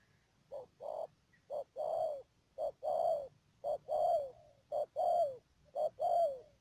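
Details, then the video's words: Spotted dove decoy in Cà Mau, Vietnam, 12 March 2019, calling paired coos: a short first note, then a drawn-out note that slides downward, repeated roughly every second in a clear, unhurried rhythm. "BẪY CHIM CU GÁY CÀ MAU .BỔI MƯƠNG ĐIỀU"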